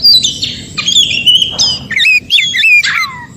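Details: Short burst of white-rumped shama (kacer) song from the forest, used to trigger responses from other shamas: fast fluty whistles, a brief harsh rasp, then zigzag chirps.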